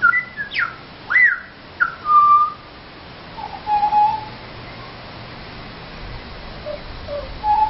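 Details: Pied Butcherbirds that visit looking for food, singing for their dinner near Mt Gravatt: a few sharp rising and falling whistled slurs, then mellow, lower held notes that grow fainter with quiet gaps between.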